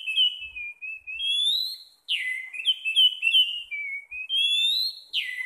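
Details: A kept orange-headed thrush, relaxed, sings a varied run of clear, high whistled phrases, some slurred upward, others dropping, with brief pauses between.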